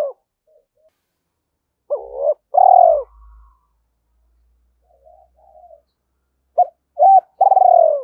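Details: Coo phrases of a spotted dove calling to stir up a rival. Low, breathy two-part coos repeat, the later phrase faster with three quick notes before a long purring coo, and faint soft sounds in between.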